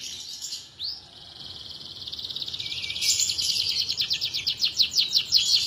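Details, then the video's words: Canary singing a long, continuous song for use as a tutor recording: a high, rapid buzzy trill that later breaks into rhythmic repeated notes, about three per second, with a brief rising whistle near the start. "Burung Kenari Gacor Durasi Panjang Pas Buat Masteran l Canary BIRD SINGING"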